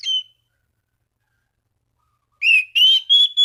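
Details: Orange-banded thrush calling rivals, song used to spur other thrushes to sing; a brief whistle, a pause, then a series of loud, steady whistled notes repeated about three times a second.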